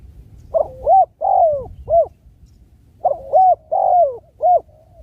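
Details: Spotted dove calling: two cooing phrases, each a run of about four low, mellow coos, some short and arched, one longer and sliding downward, with a pause between phrases over a faint low rumble.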